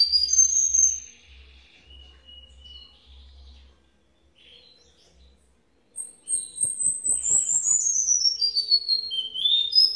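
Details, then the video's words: Cuban bullfinch, Villa Clara, Cuba, in redoblao style: opening high whistled trills, a quiet pause, then loud, rapid rolling phrases sliding down from very high to middle pitch with faint clicks beneath. "Negrito el Mejor redoblao de Villa Clara"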